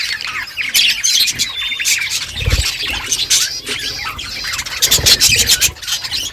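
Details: A flock of budgerigars in the morning, talking among themselves in dense, continuous high chirping and warbled squawks, with a couple of low thumps.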